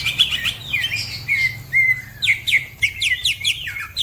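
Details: Green leafbird giving a fast song of bright whistled slurs and sharp falling chips, phrases broken by short pauses, with other birds chirping nearby and a low hum in the background.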